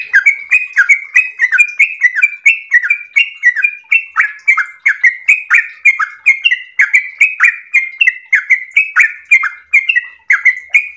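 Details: Eleven seconds of continuous, rapid, melodious chatter from a yellow-vented bulbul in the long 'ropel' style: dozens of liquid notes in quick succession, each a descending slur ending in a clear whistle.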